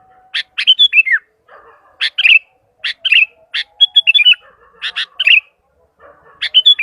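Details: Kutilang, or sooty-headed bulbul, calling to other bulbuls: short bubbly phrases of two to four liquid notes ending in a downward slur, repeated about every second, with a faint hum between them.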